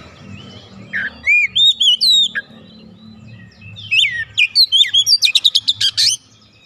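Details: Untrained oriental magpie-robin in full song: looping whistled phrases, then a fast run of sharp repeated notes building into a rapid trill-like series.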